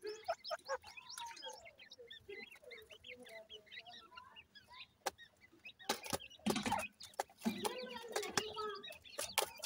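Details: Grey francolin chicks feeding, many overlapping high peeps and short twittering notes, joined by louder clattering and knocking sounds in the second half.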